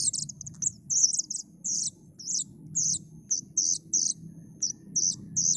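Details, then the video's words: Plaintive cuckoo chick calling: short, high, raspy bursts repeated about twice a second, steady and insistent, over a low continuous background hum. "suara anakan burung kedasih"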